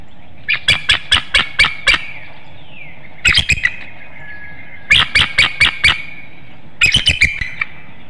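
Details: Female bald eagle at a nest watched by webcam in Hanover, Pennsylvania, at 6:54 a.m. on 4 April 2019, calling her mate to take over nest duties: loud, staccato, piping chattering bursts of four to six notes, repeated several times.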